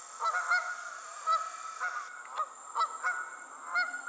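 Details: Honking of geese in flight: repeated short, nasal honks, roughly eight to ten in four seconds, uneven spacing with a few quick pairs, over a constant thin high-pitched background hiss.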